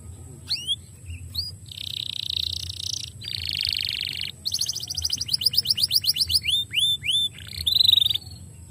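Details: Domestic canary singing to stimulate other canaries: buzzy rolled trills, upward whistled sweeps, then a fast run of repeated descending notes and falling slurred whistles, with a faint steady low hum beneath.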